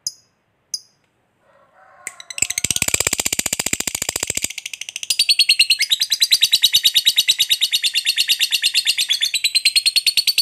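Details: Lovebird, a fighter type, giving a long chatter (ngekek) meant to provoke other lovebirds to answer: after a few sharp chips, a fast, dense, buzzy rattling trill runs unbroken for about eight seconds, shifting pitch midway.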